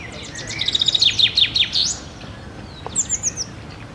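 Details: Male common chaffinch sings a bright, descending run of quick notes that speeds up and ends in a flourish, followed by a brief higher phrase.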